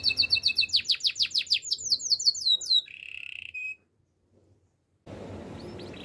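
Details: Gloster canary song for training canaries to sing: a rapid cascade of high descending notes, then a short buzzy rattle ending in silence and faint background noise.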